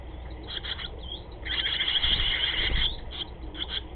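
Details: Nesting barn swallows: bursts of bright chirping and twittering warble, busiest in the middle, over a steady low rumble of background noise.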